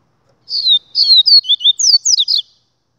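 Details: Double-collared seedeater singing a 'Gladiador' song phrase: about a dozen quick, high, downslurred whistles in a rapid, slightly varied sequence lasting two seconds, clean with no other sounds.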